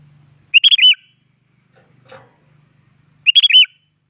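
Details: Active sooty-headed bulbul singing to push rivals into song: two identical short phrases of three or four quick, liquid whistled notes, about three seconds apart, with a faint rustle between them.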